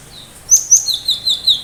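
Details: Cinereous tit in full 'tembakan tajam' song style, sharp shots meant to make other birds respond and imitate; thin high whistled notes, two sharp upslurred strokes followed by three short descending tinkling notes, over faint background hiss.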